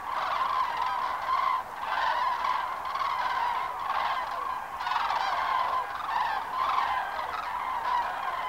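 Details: Many cranes at Lac du Der, February 2012, calling together: overlapping bugling, trumpet-like notes pour out without pause, swelling into louder bursts every couple of seconds above a steady murmur of the flock.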